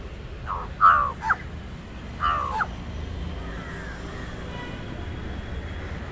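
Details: An Indian jungle crow (Corvus culminatus) gives hoarse, nasal caws, a distinct call meant to frighten other birds: two quick ones, then a drawn-out third about a second later, over a faint steady hiss.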